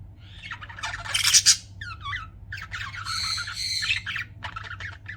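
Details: Pet budgies giving loud, harsh squawks and buzzy chatter, with quick upward-sweeping whistled notes near two seconds and a sustained grating burst after three seconds, over a low hum.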